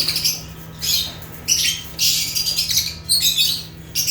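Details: African lovebirds (Agapornis) giving shrill, grating chirps in loud bursts roughly every half second to second, some overlapping into squawky chatter; faint steady hum in the background.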